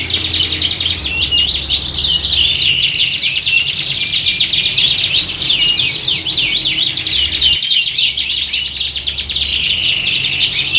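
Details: Several canaries singing together in a setting like a songbird contest, played to train caged birds to become bold competitors; dense overlapping high warbles, rapid trills and rising whistles run without pause, with a faint low hum beneath.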